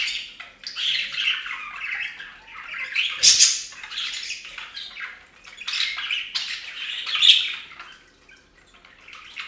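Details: Several budgies at a bathing fountain chatter in raspy warbled phrases, punctuated by loud piercing squawks near the middle and later on; the sound is close and indoor-like.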